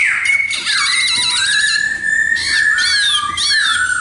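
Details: Laughingthrush (khướu mun) singing: a loud, continuous stream of clear whistled notes with fast, warbling ornaments and buzzy bursts over a long sustained whistle.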